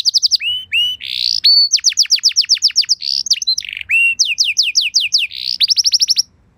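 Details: Canary giving a luxurious lure song ('pancingan') intended to draw replies from other canaries: mixed tours of bright falling whistles, rapid rolling trills and a few longer slurred notes, delivered continuously and clearly.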